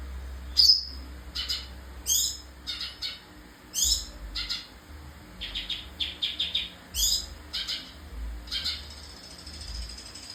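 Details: Sooty-headed bulbul in lively song with a rich filler repertoire. Irregular bursts of high, sharp chirps and short warbled notes come in clusters every second or so, over steady low rumbling noise.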